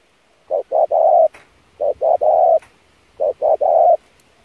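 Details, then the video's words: Training lure of a spotted dove, pressing cooing: three even phrases of two short low hoots and a longer hollow coo, roughly every one and a half seconds, faint soft clicks between. "kích mồi tập bổi chim cu gáy cực chuẩn / thúc gù căng lửa"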